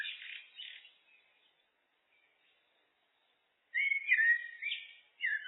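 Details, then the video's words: Common blackbird, song looped: a warbled phrase fades into a long quiet gap, then a loud, rich run of fluty whistles with a high twittered ending, and another phrase beginning. "Blackbird, Turdus merula, birds (looped), SOUND EFFECT"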